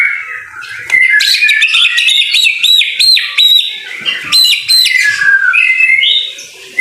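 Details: Rain-time masteran song of a white-rumped shama: high, sharply modulated whistles repeated in fast bursts, interspersed with lower slurred notes, loud and varied throughout.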